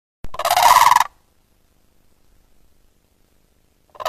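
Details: A blue crane, one of a pair, at Zulu Rock Game Ranch, KwaZulu-Natal, South Africa, gives one loud, rolling, rattly croak of just under a second, harsh and fairly low-pitched; a second call begins as the clip ends.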